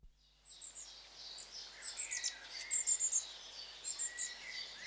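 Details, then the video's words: A flock of long-tailed tits calling: thin, high, rapid see-see-see notes and short buzzy trills, overlapping several times a second. "Charm of LongTailed Tits(Aegithalos Cauda)of Mesmerizing Sound Effects"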